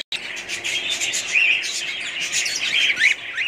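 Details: Pet budgerigars kept as a family group, chattering together in a dense, continuous stream of high chirps and short rising and falling warbled notes, with several birds overlapping throughout.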